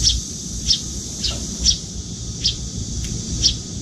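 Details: Young Eurasian tree sparrow, nearly grown but with paler cheeks, begs from its parent at a window feeding spot while fluttering its wings; sharp high chirps spaced under a second apart, with low background rumble.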